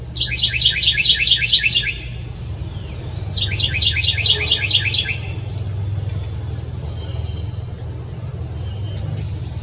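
Bewick's Wren gives two quick, high phrases of rapid repeated notes, each under two seconds long, over a steady low rumble.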